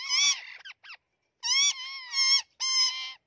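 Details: Green and white ringneck parrots fighting: loud, harsh, nasal screeches with stacked harmonics, several drawn-out squawks and short broken notes in quick bursts.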